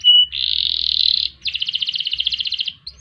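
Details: Canary singing a long, energetic song in the ngerek, ngerol and nembak styles, kept as a master and lure recording for training other songbirds: a short whistle, a sustained buzzy roll, then a rapid pulsed trill, ending in brief high notes.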